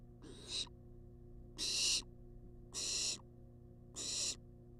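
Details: Wild barn owl on a nest-box cam begging for food, giving four harsh, breathy snore-like hisses at about one-second intervals, the second loudest, with steady low hum throughout.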